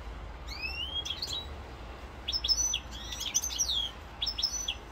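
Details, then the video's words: Short burst of goldfinch song in Corsica, 7 November 2022: a rising whistled slur followed by clusters of bright liquid tweets and twitters. "chant chardonneret"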